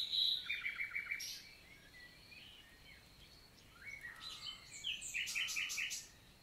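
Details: Common nightingale daytime song in Lot, southern France, 11 June 2023, countryside forest in summer: a quick series of repeated clicking notes opens, a quiet pause with faint birds, then another loud rapid repeated phrase.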